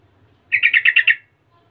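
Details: Yellow-vented bulbul in lively 'gacor latah' song, used to provoke other bulbuls into answering. It gives a short bubbly phrase of six quick warbled notes over about 0.7 seconds, then falls silent, with a faint low hum behind it.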